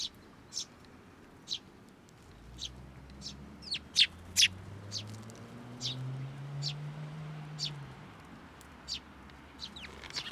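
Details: Sparrows gathering to take food from a hand at a Tenmangu shrine, June 2024. Isolated high chirps every second or so, a few louder ones in the middle, while a low droning hum rises and fades underneath.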